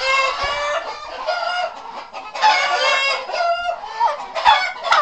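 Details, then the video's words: Two turkeys in a duet call back and forth in loud, rough, harmonic bursts, overlapping and pausing about twice a second, with little other sound. "Truthähne im Duett / Turkey duo"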